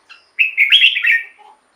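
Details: A caged red-whiskered bulbul, recorded as decoy song to attract wild birds and stir up captive ones, gives a single rich, slightly buzzy warbled phrase about one second long with quick up-and-down whistled notes.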